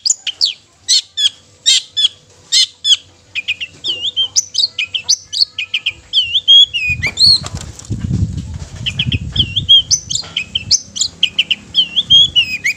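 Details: Long-tailed shrike singing to provoke other shrikes into song and anger, with sharp high notes and looping whistles in quick succession and a low rumbling noise midway.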